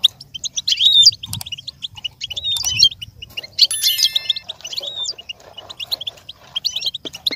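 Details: Goldfinch song for learning and imitation: phrases of quick twitters with slurred whistled notes, interrupted midway by an even, ringing tonal sound unlike a bird, then scattered chirps continue.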